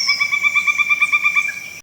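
A Pileated Woodpecker gives a fast, even run of loud, ringing notes, about seven a second, holding steady in pitch before stopping abruptly.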